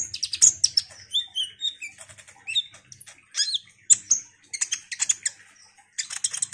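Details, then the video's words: Ruby-cheeked sunbird used as a singing lure: a busy jumble of high chirps, trills and slurred whistles, with some notes softer, and a final cluster of quick ticking notes. "Pancingan KONIN GACOR INI DIJAMIN bikin KOLIBRI NINJA lain EMOSI Rajin Bunyi"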